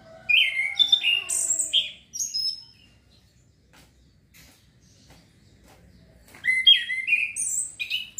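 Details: Chestnut-capped thrush song used as therapy to stimulate breeding urge and lively singing: varied loud whistled phrases, high slurred and warbled notes in two bursts separated by a quiet gap of about four seconds.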